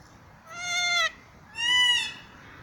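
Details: Kea at a zoo giving two drawn-out, nasal, harmonic-rich calls of about half a second each, the second slightly falling. A steady low background hum runs throughout.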